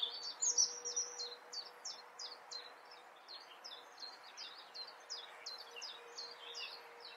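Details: European robin singing in the Eifel, Germany: a rapid series of short, high, thin notes, each a quick downslurred or kinked whistle, run together in a fast, slightly uneven stream that softens after the first loud notes.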